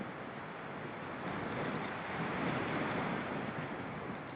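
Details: Continuous roaring wind-like noise throughout, with no animal call heard.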